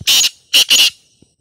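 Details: Black francolin call, said to make other francolins answer: three loud, harsh, buzzy grating notes in quick succession, the last two joined, over silence.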